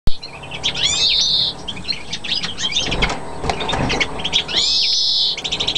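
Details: Lutino mutation European greenfinch on Chios, Greece, singing: twittering chirps and a drawn-out buzzy wheeze near the start and again toward the end, over heavy background noise.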